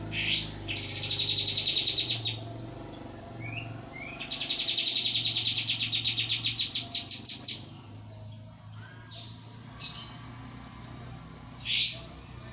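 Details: Energetic sooty-headed bulbul in loud song: two long, fast buzzy trills of rapid high notes, the second ending in separate rising chips, then shorter bursts of trilled notes after pauses, over a faint low hum.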